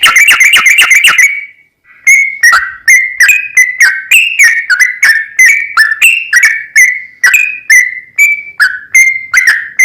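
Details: Song of a sooty-headed bulbul, 'ropel panjang' style, played to make another bird sing; opens with a very fast run of clipped whistles, short silence, then evenly paced clear notes varying slightly in pitch.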